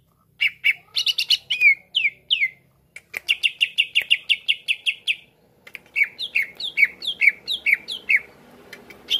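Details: Greater green leafbird delivering a varied song to provoke other leafbirds: scattered chips and swooping whistles, a dense train of rapid repeated notes, then a steady sequence of down-slurred whistled phrases.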